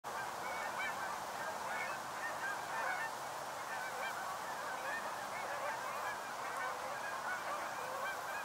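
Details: North American Canada geese flying in during a fall migration stopover in the northern USA, a large flock giving a dense continuous chorus of overlapping nasal honks with no breaks.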